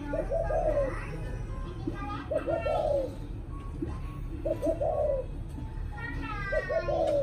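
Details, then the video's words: Evening cooing of a spotted dove, repeated about every two seconds. Each phrase has clipped opening notes and ends in a drawn-out descending coo. Faint voices sound in the background. "Cu gáy chiều tối"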